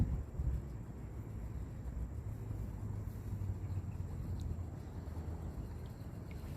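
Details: Low engine-like rumble with wind outdoors, a few faint high ticks, and no animal calls.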